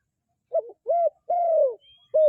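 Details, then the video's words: A dove's coo sequence: a quavering opening note, a short arched coo, a long coo falling in pitch, then another note starting at the end. "សម្លេងលលកទ្រោលបរ សម្លេងដេញណាស់😍The sound of a dove is very quiet, the sound is very chasing"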